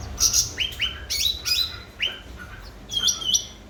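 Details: Grey-bellied bulbul known locally as cucak ranting, singing energetically to stimulate silent birds: a short sequence of bright, bending chirps, about six notes in under four seconds.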